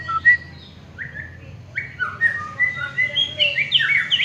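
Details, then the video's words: White-rumped shama, a winning contest bird, gives spaced, sliding whistled notes that build into a faster, denser warbling flourish toward the end. "BURUNG MUARAI JUARA"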